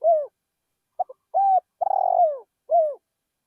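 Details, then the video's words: In a rice field, a decoy spotted dove coos. A falling coo is followed by two clipped notes, a level coo, a drawn-out trembling purr that droops in pitch, and a final descending coo. "นกเขาใหญ่เสียงเพราะๆ ต่อนกเขาใหญ่ ที่ทุ่งนา"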